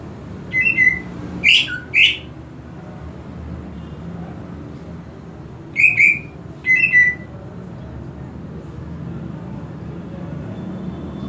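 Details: Greater green leafbird (cucak ijo), a home-kept bird, gives short clear whistled notes near mid-high pitch in two loose bursts, some slurred upward, separated by a long pause over steady low background hum.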